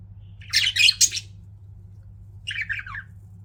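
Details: Pet budgerigars chirping indoors: a cluster of loud raspy squawks, then a pause and a quieter descending string of warbled chatter notes, over a low constant hum.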